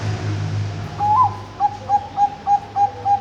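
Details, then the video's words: Bangkok perkutut, a zebra dove kept at a farm in Kediri, Indonesia: after a brief rising whistled note come six or seven short cooing notes spaced evenly, about three per second, against low mechanical hum. "Suara Depan Perkutut Bangkok bagus"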